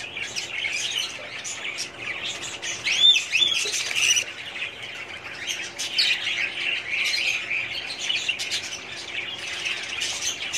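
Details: Continuous chatter of a 2017 budgerigar breeding colony: scratchy squawks, quick chirps and rising whistled notes from many birds, with a louder burst early on.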